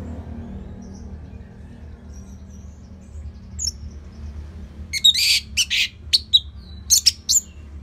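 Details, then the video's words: Orange-headed thrush in easy, steady song meant to draw other birds into singing. Mostly faint background at first, then a late burst of loud, buzzy, high chirps and sharp notes. "Dipancing Dengan Kicauan ANIS MERAH Gacor Selow"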